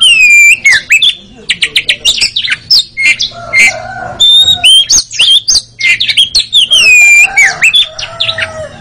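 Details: Oriental magpie-robin (kacer) song used as training therapy for caged birds to sing in the rapid chattering ngeriwik style: loud, varied whistled phrases, sliding upward and downward notes and quick buzzy chatters in rapid succession, with brief pauses between bursts.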